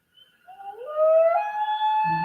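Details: A Common Loon's wail, the call loons use to communicate across distances with other loons on Adirondack lakes, often heard in the evening or morning: a long, haunting, howl-like note sliding upward then holding steady and pure; a low rumble enters near the end.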